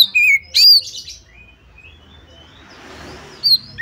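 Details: Female white-rumped shama calling to prompt other shamas to sing: two sharp falling whistles and a higher slurred note, followed by a faint rushing hiss and one final high whistle.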